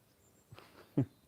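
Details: A pheasant sitting just behind the recordist in England on a sunny day, 24 March 2020, gives two short, harsh, hoarse notes about half a second apart, the second louder, over faint outdoor background noise.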